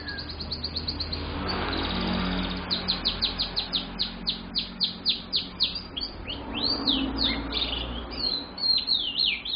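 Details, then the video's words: Lively young canary kept as a lure bird: after a quiet start with low background noise, rapid repeated downward-swept notes form a steady trill about four per second, then shift into varied twittering phrases. "Suara Burung Kenari Pikatan, Gacor Banget Bro.."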